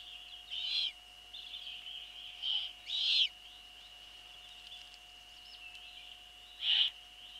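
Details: Eurasian eagle-owl nest in the evening of 28 April 2013, female delivering a bird and feeding young: rasping hiss bursts, several close together early, then a pause before one last loud burst, steady hum throughout.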